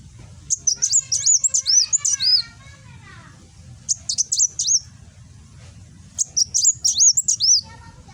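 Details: A kolibri wulung, or Van Hasselt's sunbird, in Gresik, East Java, delivering nembak song for training cage birds: three bursts of quick, shrill, zigzagging whistles, with fainter lower-pitched warbles in the background.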